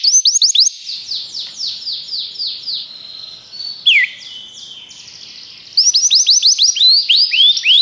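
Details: Training song of a Belgian canary: a fast sweeping whistled trill that fades into a softer rolling section with a sharp downward note, then bursts back into bright rapid repeated chirps.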